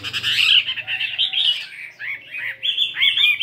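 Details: Chinese hwamei, a 72-gram fighting bird, in morning singing practice; harsh, loud warbling gives way to a run of looping whistled notes.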